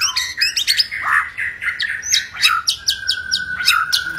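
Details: White-rumped shama in aggressive song meant to rouse other birds to sing and fight: quick chattering notes and whistles, then a long level whistle with sharp clicks and chips layered over it.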